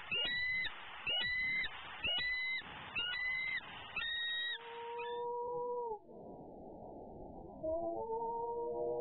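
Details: Hungry, impatient female eagle calling steadily from a Southwest Florida nest near 11am on 12-11-14 while her mate de-furs prey in a pond tree. A run of shrill, bending notes comes roughly once a second, then gives way to lower steady tones.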